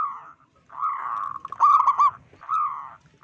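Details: Local zebra dove with a strong voice, calling to provoke others of its kind: a smooth cooing phrase, a loud pulsed staccato burst, then another soft coo.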